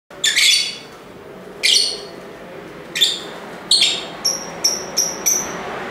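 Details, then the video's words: Lovebirds in lively chirping: four harsh, shrill broadband shrieks spaced about a second apart, then a quick run of four short, thin whistled notes, clean and high, over a faint low hum. "Ramai Kicauan Lovebird (Lovebirds Sounds)"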